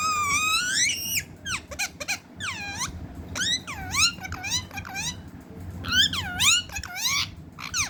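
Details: Angry talking parrot kept as a pet, giving a series of sharp swooping squeaks that dip and rise steeply, in irregular bursts, over a low indoor background hum.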